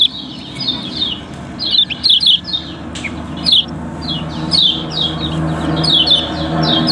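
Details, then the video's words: Yellow-bellied prinia kept as a singing bird, Lombok type, its song played as a lure for other birds: sharp high chirps in short clusters separated by brief pauses, with steady low-pitched background rumble. "Kecial Kuning Auto Ramai, Pancingan Paling Ampuh"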